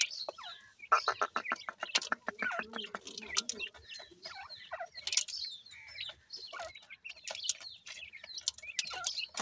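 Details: Francolin chicks give a stream of high, falling peeps, while a rapid run of short clicking pulses sounds in the first few seconds amid light background rustle.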